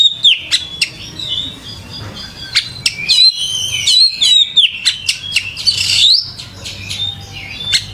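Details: Oriental magpie-robin (kacer) singing energetically, a varied run of clear whistled phrases, sliding and warbling notes and sharp chips delivered in quick succession with brief pauses between bursts.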